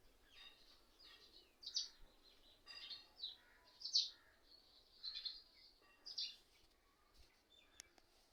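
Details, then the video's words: Many mynas sitting together in one tree, calling and seeming to mimic and laugh at each other: scattered harsh, chirping and squeaky notes at irregular intervals, mostly high-pitched, over quiet background. "Mayna Birds sounds"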